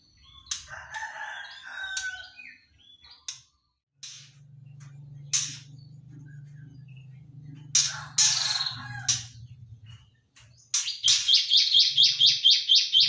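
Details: Three-month-old juvenile white-rumped shama practising its song: warbled notes with harsh rasping bursts, then a fast run of about a dozen sharp repeated notes at the end, over a low background hum.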